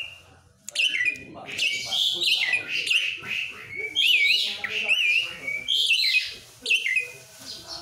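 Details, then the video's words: Asian pied starling song: a long run of loud chattering and squeaky whistled notes with wobbling pitch, broken by short pauses, rough and scratchy throughout. "Jalak suren"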